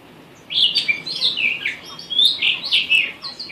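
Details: Monticola solitarius, the blue rock thrush, delivers a continuous phrase of warbled whistles, melodious and a little raspy, rising and falling quickly over a soft hiss.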